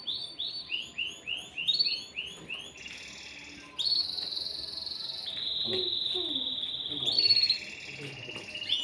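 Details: Male canary in a cage, aroused and singing to prepare a female for mating: a series of looping repeated notes, then long sustained buzzy tones that change pitch in steps, over faint background noise.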